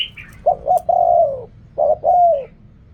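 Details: A Thai spotted dove coo, called riak kham, khu kham, ok rong, opens with a brief high chirp. Then come two short hoots and a long, level coo that sinks at its close, and a second phrase begins.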